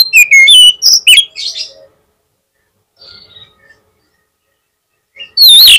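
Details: Oriental magpie-robin song used to provoke a rival bird into answering: loud whistled phrases with sliding notes, then a pause, faint chirps, and a final bright rising-falling whistle.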